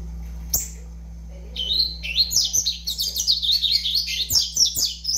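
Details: Juvenile double-collared seedeater aged five months delivering a fast, high, tumbling song of repeated sweeping chirps after one sharp opening note; low steady hum throughout.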